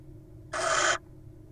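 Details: Wild little owl nestlings in a nest box: one harsh, broad hissing snore lasting about half a second, rising abruptly and cutting off, over a steady low background hum.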